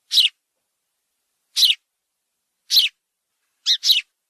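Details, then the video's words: A sparrow gives short, harsh chirps about every second, the last one doubled, in an otherwise quiet background; sparrow chirping. "SPARROW chirping"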